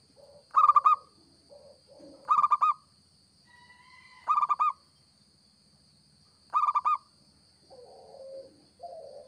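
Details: Local zebra dove in full song for luring birds: four loud bursts of quick staccato coo notes spaced roughly two seconds apart, with quieter wavering low coos between and a steady thin electronic whine.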